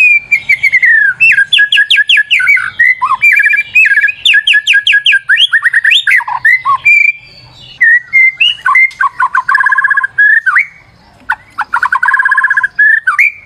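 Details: Lively white-rumped shama song used as a lure, with dense runs of rapid whistled notes, slurred phrases and trills, a brief pause near the middle, then bursts of quick repeated notes.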